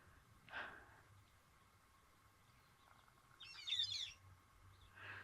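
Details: A White-headed Buffalo Weaver, a large chunky weaver, gives short scratchy calls on a safari birding morning: a brief note, then a high chattering burst and another note, over quiet background hiss.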